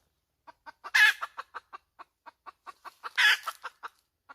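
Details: Hen cackle with quick clucks, roughly four or five a second, rising into two loud rasping squawks, the first near the start and the second near the end, then the clucking trails off.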